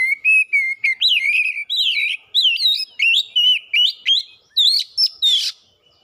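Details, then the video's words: Kacer (oriental magpie-robin) singing at full pace with its learned repertoire, used as a lure; a continuous run of repeated looping whistles that climb gradually in pitch, ending in a harsh rasping burst. "PANCINGAN KACER CEPAT GACOR LANGSUNG BONGKAR ISIAN"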